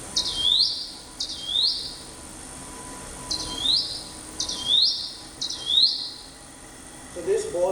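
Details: Jungle prinia, second of its two distinct singing modes: five high, sharp down-sweeping chirps each trailing into a brief buzzy note, spaced about one second apart with gaps, over quiet background hum.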